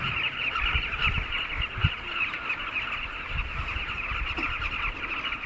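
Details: A dense chorus of Southern carmine bee-eaters at river-bank and ground nesting colonies on the Zambezi River, Katima Mulilo, Namibia: many overlapping rolling, throaty mid-pitched calls, with low wind buffeting underneath.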